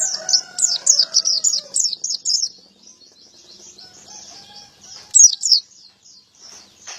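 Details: Male pleci white-eye chirping fast, high notes while a rooster crows underneath at the start, then quieter twittering and a final short loud burst; gacor ngalas ngeplong style.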